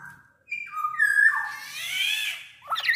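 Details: Black-naped oriole, big-bodied and in full voice, kept as a lure to make orioles sing: a clear whistled note, then a long, nasal, grating slur, ending in a quick harsh flourish.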